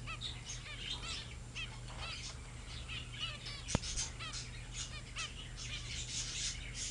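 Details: Several young zebra finches, grown-up babies filmed 15 February 2009, keep up a busy chatter of short, nasal, toy-trumpet beeps that overlap constantly, with a low steady hum and one sharp click.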